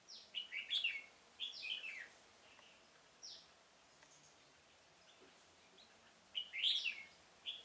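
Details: Trapping decoy red-whiskered bulbul in a pomelo orchard, 25 October 2017, calling wild birds in; loud warbled whistles early, a lone note, a pause, then another bright burst of slurred phrases.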